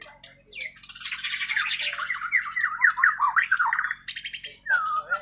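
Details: Natural, untutored song of a white-rumped shama from Kalimantan, Borneo: a dense burst of fast, wavering whistled notes zigzagging up and down, ending in a clear descending slurred whistle, with a low hum in the background.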